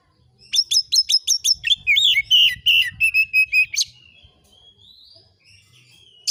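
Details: Oriental magpie-robin (kacer) master song, 'nembak isian' style, used to provoke agitated replies: rapid stuttering high chips followed by a run of whistled notes, then a faint thin trailing whistle and quiet.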